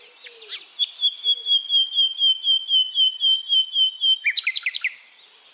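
Common nightingale song: a fast, even run of about fifteen identical high whistled notes, ending in a quick tumbling flourish of sharper notes.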